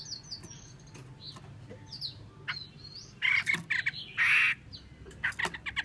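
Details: Female Chinese hwamei: thin high whistles at first, then loud harsh rasping bursts in a short series, one long grating note near the end, over faint hum.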